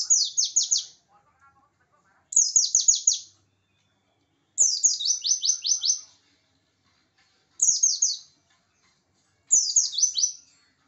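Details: Aggressive rival-provoking song of a Pacitan oriental white-eye: five separate bursts of shrill, rapidly descending chirps, each roughly a second long, repeated about every two seconds in a clean setting.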